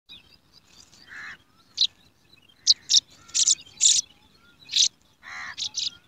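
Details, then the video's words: Hungry yellow sparrow chicks begging for food in a garden nest while being fed, giving harsh, hissing bursts at irregular intervals, several loud raspy notes clustered near the end, with faint thin chirps between. "Hungry Sparrow chicks"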